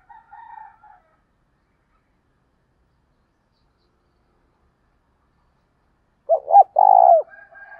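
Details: Spotted dove provoking cooing, used to spur other doves to answer. After a long silence comes one low phrase of short hoots and a drawn-out coo. Faint higher tones sound at the start and end.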